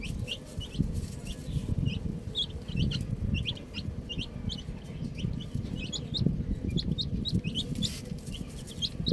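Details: Baby chicks chirping outdoors, a steady scatter of high short peeps over strong low rumbling background noise.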